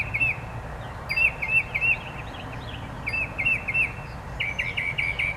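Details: Bird singing outdoors with short runs of rapidly repeated bright chirps in several separate phrases, faint higher notes above, and a constant low noise underneath.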